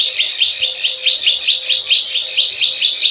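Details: Prenjak sawah, the plain prinia, in a lure recording: steady series of buzzy, upward-slurred notes repeated quickly and evenly, with faint high clicks.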